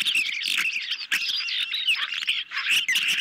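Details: Ospreys at their nest on a July 2021 evening, hungry birds receiving a medium-sized fish, caught by nest camera; dense, squeaky, whistled chirps run together almost without pause.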